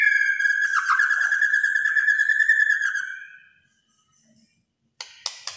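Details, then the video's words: Kretekan song of a white-rumped shama, said to agitate other shamas: a steady, rapidly trilling whistle held for about three seconds, then silence and a few short scratchy sounds. "KRETEKAN MURAI BATU GACOR. BIKIN MURAI LAIN EMOSI.."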